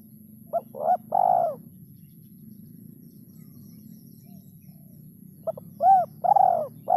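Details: Spotted dove calling over a low rumbling hum: quick short notes lead into a long, throaty, falling coo, the phrase repeated twice within seven seconds.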